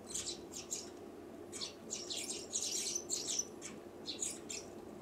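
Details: Sparrow giving scattered high chirps and short squeaky notes in irregular bursts over a quiet low hum, with a brief gap before a final cluster near the end.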